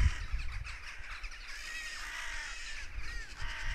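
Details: Crows raucously cawing after a goshawk had apparently been hunting nearby; harsh, hoarse caws overlap in a steady chorus, with low rumbling wind noise underneath.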